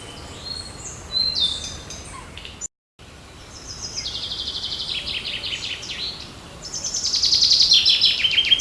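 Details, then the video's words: Wild birds singing on a June 8 morning in a park and forest: high chirps and rapid repeated buzzy trills building toward the end, over a steady hiss of background noise, with a brief dropout near the start. "Пение птиц утром в парке и в лесу 8 июня"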